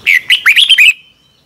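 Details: Red-whiskered bulbul singing in the morning as a lure recording for training birds, one short phrase of clear rising and falling whistled notes in quick succession, under one second long, then a thin fading tone.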